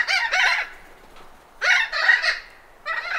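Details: Thick-billed parrot alarm and contact calls in Arizona: harsh, rasping squawks in three loud bursts, each of two or three grating notes, about a second apart, with some background wind noise.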